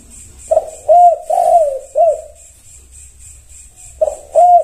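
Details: Zebra dove cooing to make other birds answer: a short note followed by three mellow, slightly rising and falling coos, then a new phrase begins after a pause, with faint background hiss.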